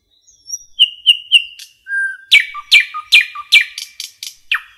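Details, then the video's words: Common nightingale in a forest: soft high whistle, three quick repeated notes, a flat whistled note, then about six loud, evenly spaced descending chooks with low notes between. "Nightingale song"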